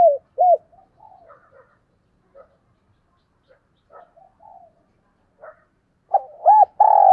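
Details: Caged decoy spotted dove calling in the morning: a few low, mellow cooing notes open and close the passage, separated by long gaps holding only faint, scattered soft notes.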